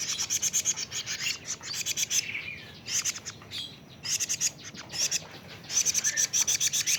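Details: Rapid trains of high, scratchy chips from a 41-day-old young plaintive cuckoo, repeated in steady bursts of several notes with brief pauses between them.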